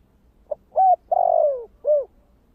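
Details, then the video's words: Spotted dove cooing in the song style known locally as 'thổ kích bổi' voice. A single phrase gives a faint lead-in note, a steady hoot, a drawn-out descending coo and a short final note. No other sounds. "Tiếng cu gáy giọng thổ kích bổi"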